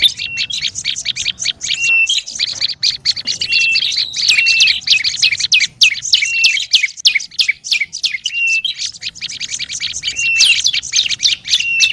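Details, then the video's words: Agitated olive-backed tailorbird lure calls: long stretches of rapid, dry chattering with brief level whistles, broken by a couple of short gaps before resuming. "SUARA PIKAT BURUNG PRENJAK LUMUT RIBUT PALING AMPUH"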